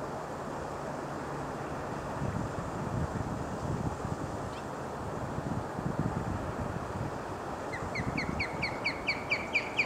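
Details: Osprey calling at UCR Agricultural Operations: a late series of about ten short, rising chirps repeated rapidly and evenly, heard over strong wind rumble and steady background roar.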